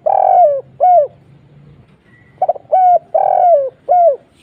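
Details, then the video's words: Spotted dove calling as a lure, two full phrases of deep mellow coos, each a long falling note followed by a shorter arched one, the second phrase opening with a quick stutter. "suara burung tekukur kuk 1"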